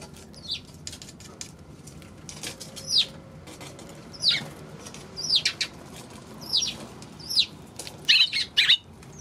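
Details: Eurasian tree sparrow on 16 March giving a series of about eight bright, downward-slurred chirps, spaced unevenly every second or so and bunching together near the end, over a quiet low rumble.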